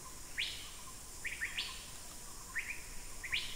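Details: A masked finfoot at Khao Yai on 18 March 2010 gives short, sharp rising chirps, singly or in quick pairs, about once a second, over a faint steady background hiss.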